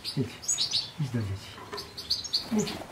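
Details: European goldfinch giving rapid high twitters and tinkling chirps in quick bursts, set against low murmuring sounds that come and go beneath the song.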